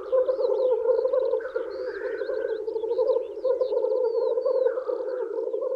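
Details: Black grouse males at their spring lek wooing females: pulsing bubbling coos throughout, with a rasping hissed burst early and another near the end, plus high whistled notes.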